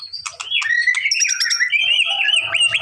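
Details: White-rumped shama song to provoke a response: short clicks leading into a long rising and falling whistled warble with buzzy overtones.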